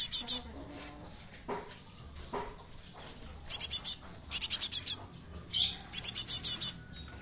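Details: Young Java sparrow kept as a lure bird, repeating quick clusters of high, sharp chips in groups of three to six, with brief pauses and a few faint squeaks between bursts.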